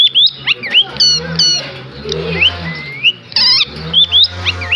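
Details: Village desi parrot giving a series of screechy, upward-swooping calls and loud harsh squawks at uneven intervals. A steady low droning hum runs throughout.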